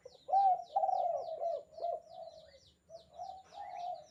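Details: Spotted dove, a lure or master-call bird used for training other doves, giving a rapid run of low hooting coos, kuk-kuk phrases followed by a longer drawn coo, with higher small-bird chirps above throughout.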